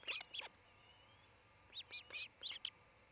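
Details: A nesting osprey pair's treetop nest in Charlo, Montana, recorded by a nest cam around midday on 27 June 2018: two high chirps, a pause, then a series of five piercing whistled cheeps in quick succession.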